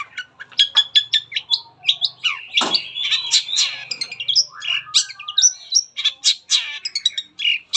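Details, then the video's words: Long-tailed shrike (cendet) in full song, used as a lure to prompt other shrikes to sing: a rapid, dense run of varied high chirps, trills and harsh notes with almost no pauses. "PANCINGAN CENDET APAPUN CEPAT BUNYI"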